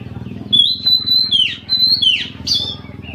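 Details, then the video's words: Oriental magpie-robin (kacer) giving a full 'isian' song, reportedly able to set other magpie-robins singing: long, clear, high whistles broken by quick downward-sweeping slurs and sharp upward flicks, over a faint low hum. "KACER GACOR FULL ISIAN Suaranya Bikin Kacer Lain Ikutan Gacor"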